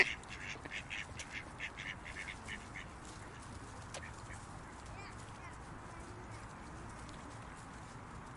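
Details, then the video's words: Park ducks give a quick run of harsh, nasal quacks during the first few seconds, then fall quiet, leaving steady low background noise with an occasional faint click. "Ducks in the Park Sound Effect"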